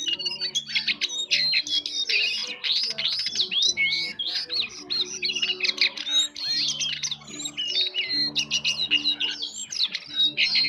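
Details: Jongkangan bird in sustained, vigorous soft-twittering song: dense high chirps, rattling trills and looping whistled phrases pouring out almost without pause, over a steady low hum.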